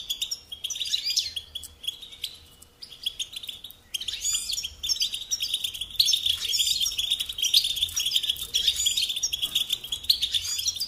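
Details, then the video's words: European goldfinch song for training young songbirds: a few short twittering phrases with gaps, then a sustained run of bright, tinkling chatter and buzzy trills that grows fuller. "Teaching Singing Lessons Through Goldfinch Motives"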